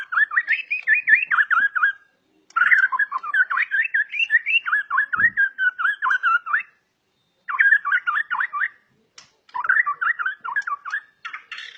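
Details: Agile, aggressive-style singing from a 'super' white-rumped shama favoured by hobbyists: repeated bouncy warbled phrases of mid-pitched slurred whistles, delivered in runs of several seconds with brief gaps between them.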